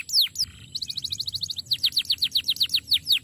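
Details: Canary song used as a master recording: quick falling slurs open into a fast even trill of about fifteen bright notes, then looser high sweeping notes, a dry rhythmic pulse throughout.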